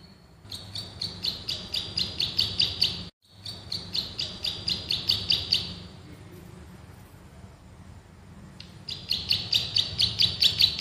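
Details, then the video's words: Bar-winged prinia used as a training master, gacor ngebren style: long runs of quick, high, metallic chirps at about two per second, interrupted by a brief cut and a softer, hum-filled lull before more chirping. "MASTERAN BURUNG PRENJAK SAWAH GACOR, NGEBREN TEMBAKAN RAPAT SUPER ISTIMEWAH"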